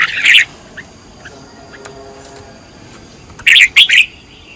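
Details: Red-whiskered bulbul, a decoy bird in training, gives a short bright warble at the start and another quick burst of whistled notes near the end, with near silence between.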